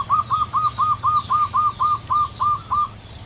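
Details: Wild native local zebra dove sings a long song, a quick string of about a dozen soft, clipped, evenly pitched cooing notes at roughly four per second, with faint high chirps from other birds behind.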